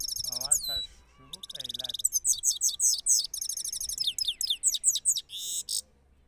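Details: Goldfinch singing in a contest against a second goldfinch; loud, rapid high twittering with sweeping whistled notes and dense trills, phrases repeated almost without pause, some low human voices faintly beneath.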